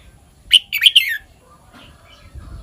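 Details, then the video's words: A single red-whiskered bulbul phrase of the kwik-jok-khwai-liang type: three loud, liquid whistled notes in quick succession, the last one slurring downward, followed by faint chirps. "เสียงนกกรงหัวจุก [ควิก-จ่อก-ไขว้-เลี้ยง]"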